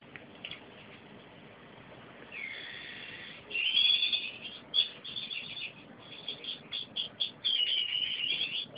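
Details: Gouldian finch mating song: after a quiet noisy start, high thin buzzy and whistled notes near the top of the range begin around two seconds, becoming a run of stuttering, wavering phrases with short gaps, over steady background hiss.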